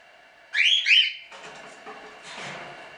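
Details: Standard cockatiels from a small hobby breeding, show birds; two loud rising whistled notes, followed by soft background rustling.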